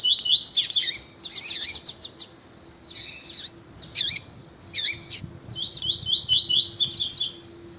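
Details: Double-collared seedeater, tuí-tuí song style, bred for song tournaments, with a female calling to stir the male; loud buzzy warbled phrases, separated bursts, then a long string of rising whistled notes over a faint low hum.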